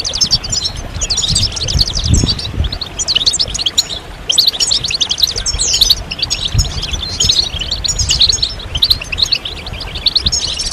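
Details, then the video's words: A group of European goldfinches producing stimulating mating and readiness calls for males in moult, delivered as clustered bursts of lively twittering and metallic trills separated by short gaps. "ستستة وبتبتة جماعية للحسون فعالة في تحفيز الحسون على الخروج من غيار الريش بسرعة"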